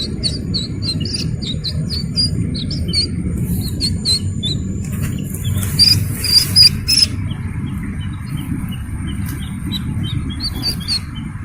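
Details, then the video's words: Slaty-legged crake chick, a recording shared for luring adult birds. Short, high chirps repeat rapidly and unevenly in the first seconds. A louder, scratchy burst follows mid-clip, then scattered chirps return, all over a steady low rumble. "Suara anak Burung Sintar MP3 || Slaty-Legged crake"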